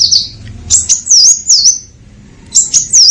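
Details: A purple-throated sunbird gives piercing, very high song phrases: quick chevron-shaped whistles that dip and rise, repeated in clusters with a short gap before the final burst.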